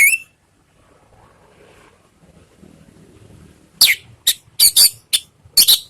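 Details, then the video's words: Orange-headed thrush (anis merah) ngeriwik lure song meant to provoke other birds to respond: one short burst, nearly four seconds of quiet, then six sharp high chattering notes at irregular intervals. "SUARA ANIS MERAH bikin ikut NYAUT NGEPLONG ¦ PANCINGAN Ngeriwik"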